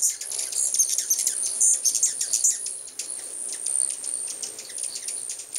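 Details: A crowd of hummingbirds, recorded in 2010 when many birds arrived at once, makes a busy stream of sharp, high-pitched ticks and squeaks, several per second, on a constant shrill background.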